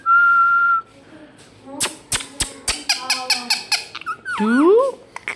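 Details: Indian ringneck parakeet kept as a pet, mimicking speech: a long steady whistle, then a run of dry clicks, ending in warbling, swooping rising notes.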